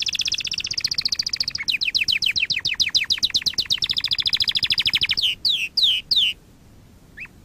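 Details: Canary singing as a training lesson: a rapid high rolling trill shifts into evenly repeated swooping notes, then a steady buzzy roll, finishing with three slow slurred whistles and a lone chirp after silence.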